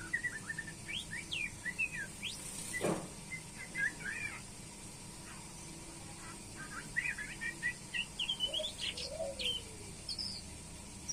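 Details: White-rumped shama at a pairing session: bursts of quick chirps and whistles in two busy phrases, one sharp knock early on, and a few low slurred notes, over constant faint hum.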